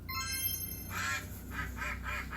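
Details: Duck quacking in a children's farm-animal sound quiz: a sustained tonal musical note opens, then a broad, nasal quack is followed by three shorter quacks in quick succession.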